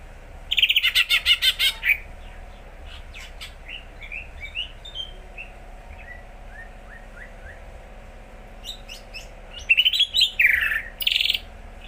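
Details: Greater green leafbird, a caged bird beginning to sing readily, delivers a burst of dense buzzy chatter, then scattered soft whistled slurs, and a second loud rattling phrase near the end.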